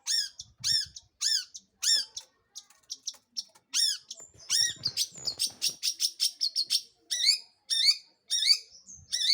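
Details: Long-tailed shrike song played to provoke other birds into singing: loud arched, ringing notes alternating with a fast run of harsh chattering notes mid-phrase, then more arched calls.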